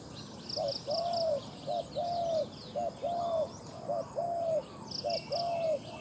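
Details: Spotted dove, a captive decoy bird noted for its big voice and used to lure wild doves, repeats paired coos: a brief low note then a longer mellow drawn coo, about five pairs in steady rhythm. High insect trills sound behind.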